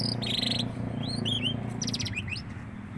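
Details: Young canary beginning to sing: buzzy bursts alternating with short swooping whistled notes, heard over a strong steady low hum.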